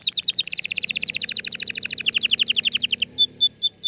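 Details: A canary sings to stimulate a female and encourage mating, delivering a very fast rolling trill that drops slightly in pitch, then a brisk series of repeated notes and a few separated chirps at the end.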